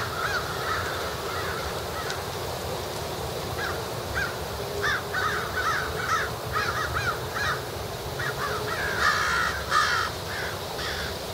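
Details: A flock of crows feeding while starting to gather before the great roost, giving many varied caws: clustered harsh nasal calls repeated rapidly and overlapping, growing busier midway, over constant low background rumble.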